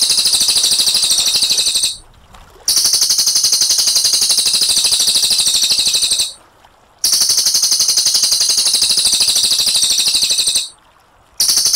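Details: Cililin in a long, clear rolling 'ngerol' song: a very fast, buzzy high trill held for about two seconds at a time, broken by short silent gaps, then resuming at the same pitch.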